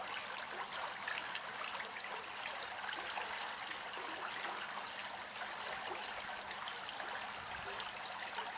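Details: A European robin in Greek countryside in winter, bathing in icy rainwater in a bird bath, sings very high, thin, fast-trilled phrases about a second apart with brief sliding whistles, over a soft hiss.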